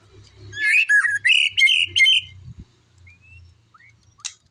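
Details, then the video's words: Rapid series of squeaky, chattering and whistled notes from a white-rumped shama in one bright burst, followed by quieter pauses with a low hum and a single sharp click. "burung muraibatu"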